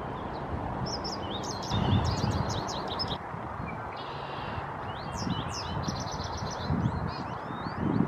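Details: American goldfinch at Fletcher Wildlife Garden, Ottawa, a wildlife habitat and garden in an urban setting, giving bursts of high, quick twittering chirps in two clusters over a steady low rumble of background noise.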